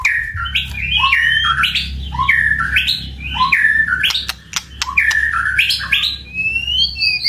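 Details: White-rumped shama singing an intense 'tạch' song used to provoke birds into fighting: varied loud whistled phrases that rise and fall, separated by sharp clicks, over a steady low hum.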